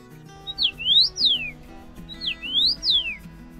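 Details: A Common Rosefinch (Carpodacus erythrinus) sings a short, clear whistled phrase of slurred notes that rise and then fall, given twice, with faint music underneath.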